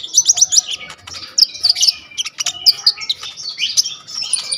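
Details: Full song of an olive-backed sunbird (kolibri ninja), recorded on a vivo Y21 phone as tutor material for kolibri ninja birds: thin, high, jumbled twittering with quick slurred whistles and chips.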